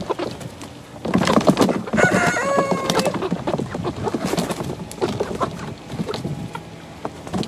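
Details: Young chickens, eleven weeks old, kept in a play pen, a flock of ISA Brown, Barred Rock, Easter Egger, Speckled Sussex and Australorp birds; busy overlapping clucks with a burst of clear, tonal, slightly wavering calls in the middle.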